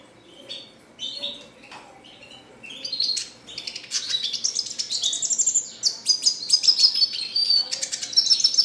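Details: Red siskin in a cage singing a long, energetic classic-style song that opens with scattered high chirps, then builds into rapid twittering, buzzy trills and sustained high whistled notes near the end.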